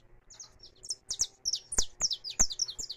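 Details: Close, loud saffron finch singing free, recorded live: a short rapid series of buzzy, high, downward-sliding chirps repeated several times a second.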